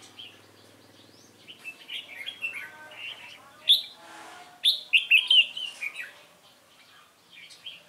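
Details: Captive red-whiskered bulbul, a wild-caught male, singing its competition fighting song: bright warbled phrases with short rising and falling whistled notes, scattered over several seconds, with faint talk in the background.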